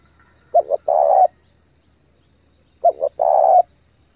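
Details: Spotted dove cooing briskly to excite decoy birds and train young ones; two phrases two seconds apart, each a quick double note followed by a sustained hollow coo.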